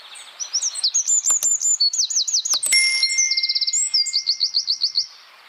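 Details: Rapid dense wren song used for training songbirds: high zigzag trills and slurred whistles pour out for about five seconds, broken near the middle by a sharp click and a brief ringing tone.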